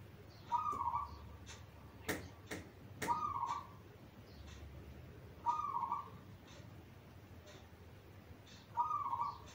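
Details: Zebra dove repeating a soft, rolling, bubbly cooing phrase about every three seconds, with a few sharp clicks between; a singing bird used as a model for training young doves still learning to sing.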